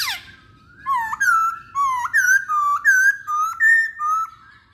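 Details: Masked laughingthrush pancingan recording: a steady series of about eight bold, slurred whistled phrases, each roughly half a second long, alternating lower and higher notes.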